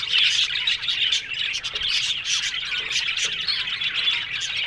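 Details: Budgerigar colony in an aviary giving busy overlapping chatter, quick high tweets and scratchy squawks blending into a lively, continuous din.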